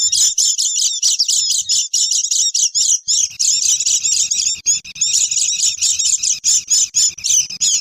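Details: Oriental white-eyes chattering loudly, used to lure wild birds: rapid high, thin chip notes in dense runs, a short dip near three seconds, then the twittering resumes over a low rumble.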